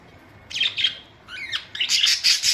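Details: A pet budgerigar squawks and chatters in rising and falling harsh notes, ending in a loud buzzy rasping burst.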